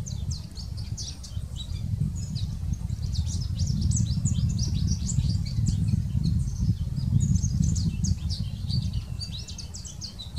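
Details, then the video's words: In spring in Maryland, a male American goldfinch sings a long, rambling run of high, bright twitters and sweet warbled notes, delivered quickly without pause, over a steady low rumble of wind. "American Goldfinch Song"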